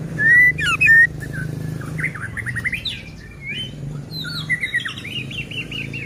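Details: White-rumped shama in full song, meant to make other shamas sing and get agitated: loud clear whistles, then tumbling runs of quick slurred notes and a repeated series of descending chirps, over steady low background hum.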